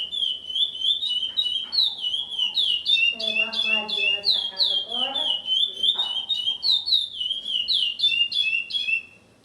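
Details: Chestnut-bellied Seed-Finch (curió), a caged breeding male bought in 2007, recorded indoors at the breeder's house and known for songs up to three minutes. Strong whistled slurs repeat about three times a second over quiet voices.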